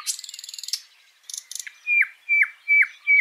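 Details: Birds in a Washington State backyard: a dry buzzy trill and brief rattles, then four clear whistled notes that slide downward, spaced evenly about every half second.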